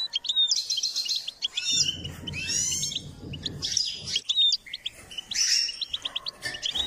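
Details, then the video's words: Goldfinch, a trained singing bird, delivering a rapid twittering song of high chirps, buzzy trills and sweeping notes, with brief tinkling phrases and a low rumbling noise in the middle. "Step by step enhancing the goldfinch’s singing"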